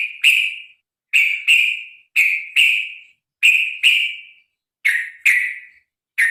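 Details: Sooty-headed bulbul (trucukan), from a recording meant to make birds sing: emphatic raspy double notes, each trailing downward, given in steady pairs roughly once a second.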